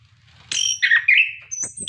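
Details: Short burst from an orange-headed thrush, song for prompting captive birds: a scratchy note, slurred downward whistles, then a thin high whistle over a low background hum.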